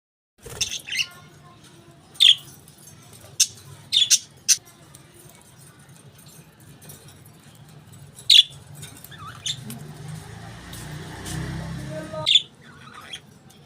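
Budgerigars give sharp, high chirps at scattered intervals over a faint low hum.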